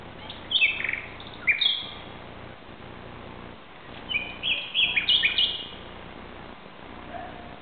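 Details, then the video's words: Common nightingale singing at 2:30 am, 17 May 2009, in Barcelona, Spain: varied, rich phrases of sweet whistles and quick trills with short pauses between bursts over a quiet, steady background hiss. Common nightingale. "Canto Nocturno de un Ruiseñor"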